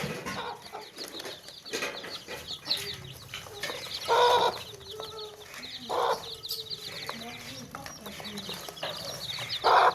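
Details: Chickens clucking around baby chicks kept in a tokri basket: loud broad clucks and squawks at irregular intervals dominate, while faint high chick peeping continues behind them.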